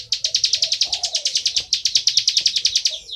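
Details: Loud 'ngebren' song of a plain prinia: a quick train of buzzy, high chips with one short pause, ending in a downward slur, while a dove coos softly behind.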